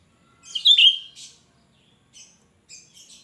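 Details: Cucak rante (Cucak Ranting), a lively bird with a shrill song used to lure other birds of its kind: a loud, piercing whistled phrase sliding downward, followed by shorter high chirps after pauses, over a quiet background.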